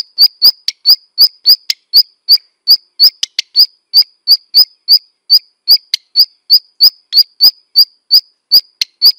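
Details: Long fast series of sharp ticking notes from a black redstart, about three per second and slightly uneven, each note a hard click blended with a high whistle, with occasional softer extra ticks.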